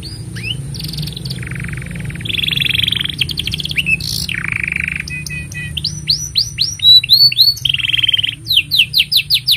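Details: Canary singing a long varied song meant as a master for juvenile canaries: rattling buzzy tours, fast metallic trills and runs of bright upward-curving whistles, changing phrase every second or so.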